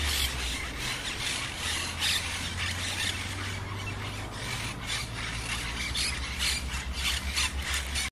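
Monk parakeets give harsh, grating squawks in quick bursts, several per second, over a steady low rumble.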